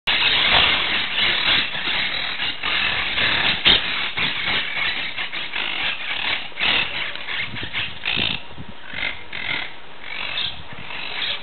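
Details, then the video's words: Monk parakeets recorded on 17 July 2008 give harsh, screechy squawks in a rapid, overlapping chatter, several birds calling at once against a steady background hum. "Conure veuve (Myiopsitta monachus, Monk Parakeet)"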